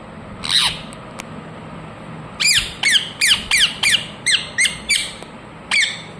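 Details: Rose-ringed parakeet giving harsh, downslurred squawks, one early call, then a run of about eight quick screeches after a pause, and a final one near the end. The room is otherwise quiet.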